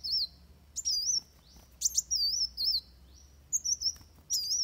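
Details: Van Hasselt's sunbird fighting song for tutoring birds: short bursts of high wavy whistles and sharp downward chips separated by brief quiet gaps.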